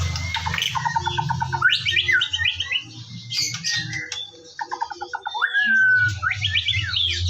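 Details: Morning song of a white-rumped shama, used to get birds singing: rapid repeated note series like quick rattles, sharp upswept whistles and a clear rising whistle near the end, low hum behind.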